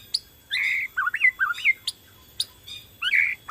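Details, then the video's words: White-rumped shama, Borneo type, in vigorous lure song to set other shamas singing: rich warbled whistles looping up and down, separated by sharp high ticks. "PANCINGAN BORNEO GACOR SANGAT AMPUH UNTUK MERANGSANG BUNYI MURAI BATU LAIN"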